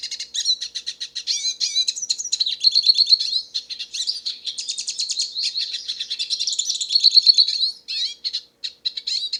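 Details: Singing freely in the wild, a Hooded siskin produces a lively, continuous stream of high twittering chirps, trills and squeaky whistles, with a brief pause near the end.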